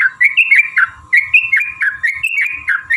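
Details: Yellow-vented bulbul giving a long fighting song meant to provoke other bulbuls into singing: quick bubbly, slurred whistled notes chained in rapid phrases, over a steady faint hum and soft low thumps.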